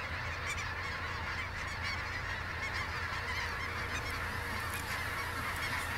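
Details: Geese at the Sonny Bono refuge: a dense, steady chorus of many honking birds overlapping without pause, with low background rumble.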